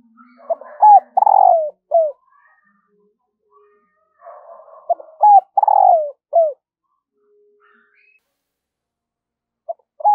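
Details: Spotted dove used as a decoy, cooing in the morning to call in wild birds. Two full phrases about five seconds apart, each of short stuttering notes, a long descending coo and a short closing coo, with faint low background rustle.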